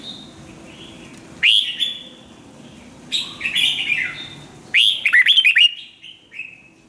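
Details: Song-training recording of a red-whiskered bulbul: three separate bursts of bright, chattering warbles, the last a rapid run of choppy notes ending in a trailing downslurred whistle.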